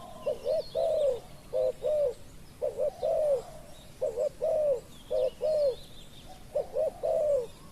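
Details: Spotted dove calling during decoy luring of a wild dove: low cooing phrases of two short clipped notes then a longer arched coo, repeated about every two seconds, with faint thin whistles of other birds behind.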